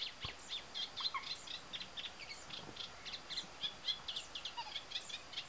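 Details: Singing Eurasian reed warbler in reedbeds of the Tancat de Milia reserve, Sollana, near l'Albufera, second half of spring: fast, jerky chatter of scratchy notes, roughly four per second, with a few lower chirps mixed in.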